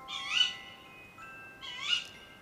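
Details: Female tawny owl gives two shrill, harsh 'ke-wick' contact calls, the first part of the pair's duet, each rising then dropping, about a second and a half apart, over faint steady musical tones.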